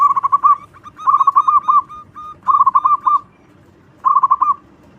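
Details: Loud local zebra dove delivering its lure song for attracting other doves, four short bubbling phrases of quick warbled coos, each about half a second long, separated by brief pauses.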